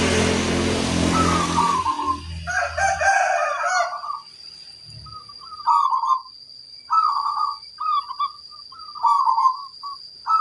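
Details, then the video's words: Loud low rumbling noise fills the first seconds, then a local zebra dove with a strong 'kung' voice delivers a series of short, rolling, bubbly coo phrases spaced about a second apart over a faint constant high whine. "Perkutut lokal gacor, gayer suara kung besar"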